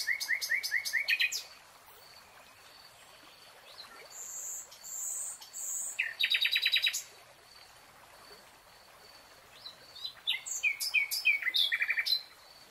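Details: Nightingale song in a lush green forest, varied phrases separated by pauses: rapid pulsed trills, a short burst of very high notes, a rattling series, then a stuttering run of chirps rising and falling.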